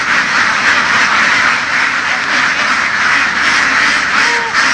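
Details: Domestic laying ducks are kept by herding them across the fields of western Vietnam. A big flock quacks nonstop in a thick, harsh, overlapping wall of sound, with faint human voices near the end.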